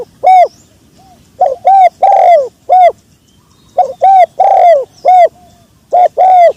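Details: Sấm chuông style cooing of a spotted dove, intended to stimulate males, females and wild birds: loud, close phrases of clipped hoots and longer falling coos, repeated with short pauses, slightly distorted.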